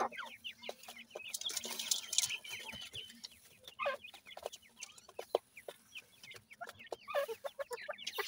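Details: Many 28-day-old francolin chicks feeding in a yard produce a busy stream of brief high peeps sliding downward, with a hissy burst early on, frequent sharp clicks and a low background hum.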